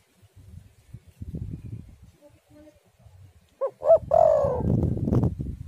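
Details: Spotted dove cooing, played to lure doves and get them singing, with stormy wind. After quiet low rumbling, a phrase of two short coos and a longer coo arrives near the end, backed by gusty low-pitched wind.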